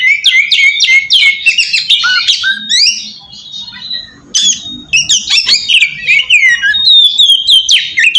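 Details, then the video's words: Lure song of an oriental magpie-robin, played to make other magpie-robins answer. Dense chattering phrases mixing whistles and harsh notes, a short lull, then renewed rapid varied song. "suara pacingan burung kacer ampuh!! buat mancing kacer bahan dijamin langsung nyaut"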